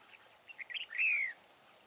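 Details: Large, big-throated red-whiskered bulbul, wild-caught and used as a trapping decoy, sings a short run of soft chirps ending in a loud, clear downward-sliding whistle.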